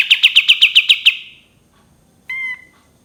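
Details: Cream-vented bulbul giving a short rapid run of about nine sharp high chips, fading out, followed after a pause by a single brief, clear, ringing call with layered tones.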